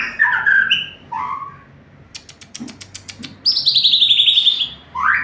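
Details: White-rumped shama in lively 'full isian' song: rich whistled notes, then a run of dry rapid clicks, then a fast high repeated trill, ending on a rising whistle.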